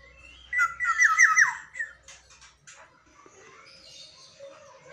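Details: Black-naped oriole kept in a cage and heard at dawn. A single mellow, fluting whistled phrase of quick, looping, rising and falling notes, followed by softer scratchy chatter.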